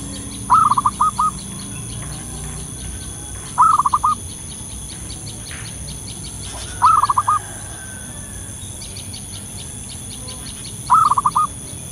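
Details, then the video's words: Wild local zebra dove calling in the open as a lure, repeating a short phrase of rapid rolling coos about every three to four seconds, with faint insect-like ticking and a steady hum behind. "suara pikat burung perkutut lokal gacor di alam liar"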